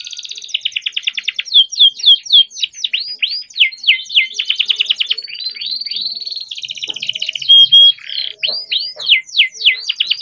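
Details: Captive-bred young canary in continuous rolling song, meant to coax silent or learning canaries into singing; rapid rising sweeps alternate with fast trills and a sustained whistled note, all high-pitched and dense.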